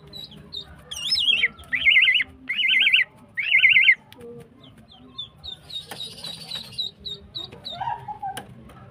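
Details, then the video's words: Female greater green leafbird singing energetically while in breeding condition, used as a lure for males: a slurred note, then three buzzy trilled phrases, then a run of short high chips and a brief rough burst. "CUCAK IJO BETINA GACOR HIPER"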